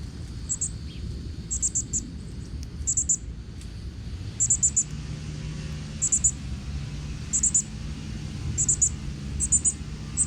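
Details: Several northern cardinal chicks in Texas woods, fed by their father; short bursts of high, thin chirps grouped in twos and threes, spaced roughly every second, with a constant low hum underneath.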